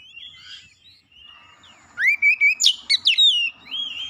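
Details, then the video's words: Oriental magpie-robin provoking song, sung to set off another magpie-robin: soft distant whistles at first, then a loud burst of quick rising slurs and sharp high notes lasting about a second and a half. "PANCINGAN KACER CEPAT panas GACOR naik emosi bongkar isian"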